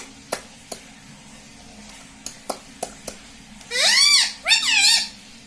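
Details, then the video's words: ['A talking parrot kept as a pet produces two arching, harmonic vocal phrases near the end. Several sharp clicks or taps come earlier in a quiet indoor room.'] "Mummy bolne wala tota - Talking Parrot"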